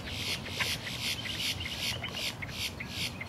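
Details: Two male boat-tailed grackles, puffed up, flapping wings and staring skyward, call to attract females with harsh, rasping, high squeaks and crackles, repeated a few times a second in overlapping bursts, over a steady hiss; no female came.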